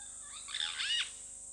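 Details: Purple roller, one of a pair at Hyena Pan Camp, Khwai Private Reserve, Okavango Delta, Botswana, giving one harsh, rasping call lasting under a second, over a steady high-pitched insect whine.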